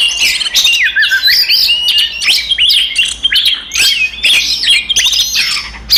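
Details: Oriental magpie-robin fighting song, used to provoke other magpie-robins into emotion: a dense, continuous stream of loud whistled notes and sharp chirps, mostly high-pitched with rising and falling slurs, interrupted by brief clicks.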